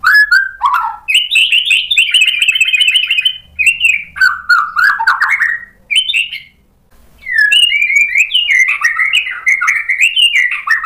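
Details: Provoked white-rumped shama singing at full strength, showing off its repertoire: mellow whistles, fast rattling trills and buzzy runs in a long varied stream, one brief silence midway, then more tumbling, richly modulated phrases.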